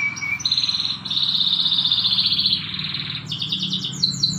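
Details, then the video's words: Canary training song in the morning: a short clear whistle, then a long buzzy trill held steady, ending in rapid bright repeated chips, with a faint low hum underneath. "the best canary training song in the morning"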